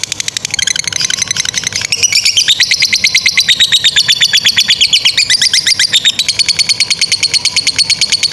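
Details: Lovebird giving a long ngekek chattering trill, used as a training model for young lovebirds and ones that have stopped singing; fast, evenly repeated high chirps, almost three per second, the pitch stepping down then back up midway.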